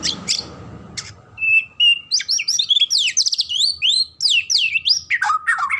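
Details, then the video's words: A white-rumped shama sings a rich, fast run of varied whistles: a held clear note, sweeping rising and falling slurs, then lower descending phrases; a few sharp clicks open the clip. "suara merdu MURAI ini"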